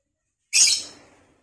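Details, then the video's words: A single piercing, rasping lovebird shriek from a vocal training recording. It bursts out suddenly, then trails off over about half a second, with silence before it. "LOVEBIRD OLAH SUARA VOKAL"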